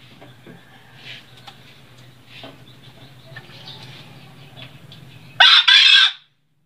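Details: Green junglefowl from Sembalun, Lombok, highland habitat at about 1700 m, gives one brief, harsh two-part crow near the end after a quiet stretch with a low steady hum; Green junglefowl.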